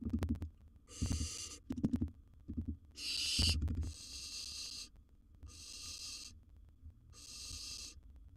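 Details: Young wild barn owl at a monitored nest box, dealing with a big gerbil: a series of rasping, hissing screeches, each under a second, separated by short pauses, with low knocks and bumps early on.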